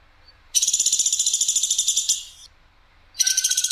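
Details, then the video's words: Woodpecker called platuk sampit, recorded as a tutor track with a clear, coarse, sharp delivery: one sustained high, dry rattle of fast pulses for about 1.6 seconds, then another rattle beginning after a short pause. "PLATUK SAMPIT/masteran PLATUK SAMPIT suara jernih nembak kasar dan tajam"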